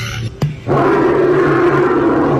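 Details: Australian bustard (Ardeotis australis), roar.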